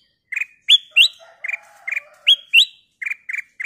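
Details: Kutilang emas (golden bulbul) singing energetically to prompt other birds: a quick series of short chirpy whistles, some upslurred, roughly three per second with uneven spacing, faint lower twittering underneath.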